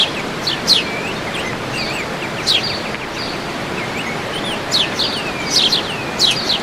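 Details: Natural sound at El Salto, Oratorio Santa Rosa, with birdsong: scattered high chirps and down-slurred whistles half buried under loud, constant rushing water-like noise.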